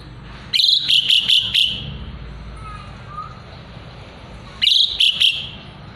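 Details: Asian pied starling (jalak suren), a lively singer used to teach murai batu, gives two clusters of rapid, scratchy high notes about four seconds apart, each a quick run of five or so sharp chips.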